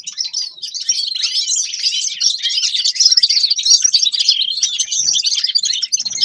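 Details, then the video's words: Loud, steady twittering from a grey-crowned goldfinch, a tumbling stream of high chirps, trills and buzzy notes that runs without pause for over six seconds. "Седоголовый щегол Carduelis caniceps певчая птица طائر الاغنية"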